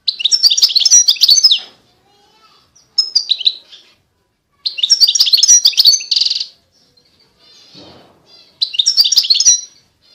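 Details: European goldfinch song in several bursts: fast, jangling twitters of bright high notes separated by short pauses, with one brief buzzy rattle between phrases and a soft low sound in a gap.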